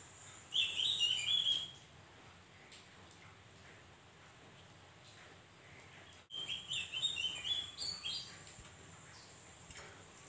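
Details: Javan grey-throated white-eye, used as a lure song to draw other birds to answer: two bursts of quick, high twittering warbles, one early and one after a pause, over a steady hiss.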